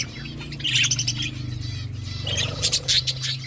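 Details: Flock of budgerigars eating, producing loud bright chirps and quick warbling phrases over a steady low hum, with a burst of sharp high notes near the end.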